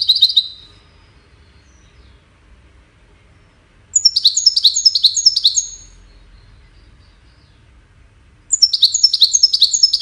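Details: Goldfinch singing, a song used for courtship and communication. A short high note opens, then two fast twittering phrases of about six tinkling notes each, separated by roughly three seconds of silence.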